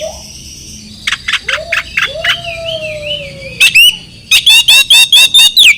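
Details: Oriental magpie-robin lure song for stressed or silent birds: a string of short sharp notes, long sliding whistles, then a fast run of loud, ringing repeated chips.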